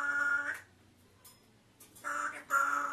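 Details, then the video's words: A pet African grey parrot talks in two bursts of steady, voice-like tones, with a pause about a second long between them and a quiet room behind. "African Grey Parrot Talking"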